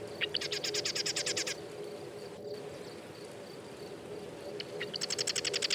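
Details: Marsh wren giving two rattling trills, each a fast run of buzzy repeated notes lasting over a second, with a few ticks before the second trill over a steady low hum.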